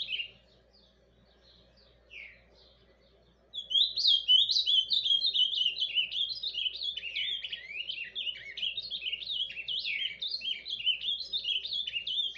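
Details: An Ultramarine Grosbeak sings its soft, quiet song: a few soft notes, then a long, rapid, continuous warble of high twittering phrases, quiet and rambling, with no other sounds.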